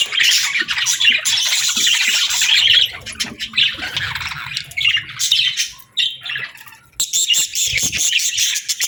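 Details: Budgerigar song: bursts of rapid, chattering warble and sharp chirps that pause briefly, then resume in lively high-pitched streams.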